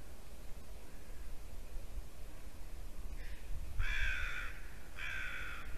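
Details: Ravens at a Latvian white-tailed eagle nest, December 2019 morning, irritating the brooding female eagle. A faint note precedes two strong, drawn-out, buzzy croaks about a second apart, over a constant low rumble.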